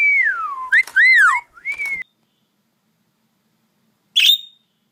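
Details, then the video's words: Parrot whistling: a descending clear whistle, then quick arched notes and a level whistle, followed by silence and a single sharp buzzy chirp near the end. "Nice tweeting of parrots"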